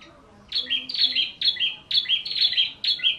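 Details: White-rumped shama kept in Indonesia giving a quick, regular series of high, buzzy two-part notes, about six in three seconds, over a hissy background.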